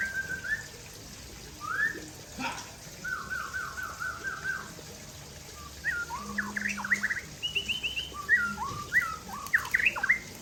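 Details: Caged Aceh white-rumped shama singing while sunbathing: varied whistled phrases, a slurred opening whistle, a rapid repeated trill, then bursts of quick rising and falling notes growing busier toward the end, with a brief low hum midway.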